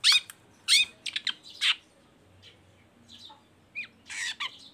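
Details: Long-tailed shrike of the Baham type, chattering to lure other shrikes into song. A few loud rasping notes open the clip, followed by a quiet gap, a lone upslurred whistle and a final harsh burst.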